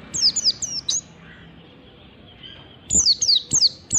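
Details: Morning ngalas-style song of an Oriental white-eye, used for training birds. A burst of four thin descending chirps, a pause of nearly two seconds, then another run of quick falling notes.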